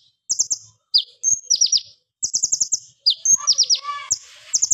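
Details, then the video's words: Plain flowerpecker singing energetically in rapid-fire bursts, sharp and loud, used as a lure and teaching sound for other songbirds: very high, quick ticking runs of four to six notes alternate with downward-slurred piercing notes, and a brief lower buzzy rattle mid-clip. "KONIN GACOR TEMBAKAN AK47 TAJAM NYARING"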